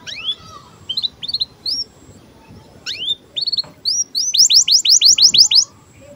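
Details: Canary in breeding condition giving chirps used to tutor young canaries: rising whistled upsweeps and short chirps in bursts, ending in a fast run of about eight bright, sweeping notes.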